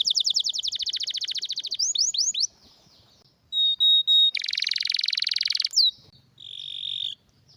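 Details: Canary with a rare, strong training song: a rapid high trill and falling sweeps, a pause, clear pure whistles, a dense buzzy roll, then a steady flat tone.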